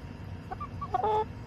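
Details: A chicken in a backyard flock, July 17, 2024, gives a few soft, short clucks, then one louder, clear, tonal cluck lasting about a quarter second, over low background rumble.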